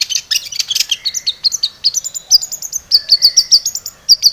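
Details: Long-tailed shrike song for luring birds into singing: a dense, fast run of high chirps and squeaky whistled notes, steadily repeated with varied phrases.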